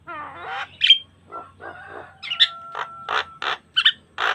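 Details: Energetic Javan myna song in full variety, recorded naturally without effects as a training lure: opening rising nasal notes, a bright whistle, then a long level whistled tone under harsh grating bursts repeated about twice a second.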